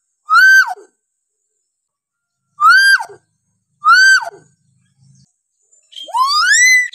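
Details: Hill myna whistles for training stuck or lazy mynas: three loud arched rise-and-fall whistles at uneven gaps, then a longer whistle climbing steadily upward.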